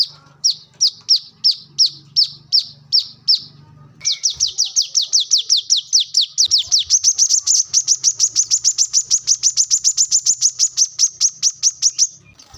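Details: A brown-throated sunbird, recorded for luring and for training birds' song, gives evenly spaced high chips for four seconds, then breaks into a long, very fast, high trill of rapid chirps over faint low hum.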